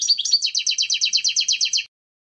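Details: European goldfinch giving a couple of sweet whistled notes that run into a fast, evenly pulsed high trill, ending suddenly after under two seconds.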